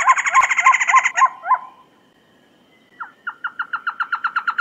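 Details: Trogon delivering a rapid buzzy rattle with a high thin overtone, a couple of hooked notes, two seconds of silence, then a steady run of short descending notes speeding up slightly.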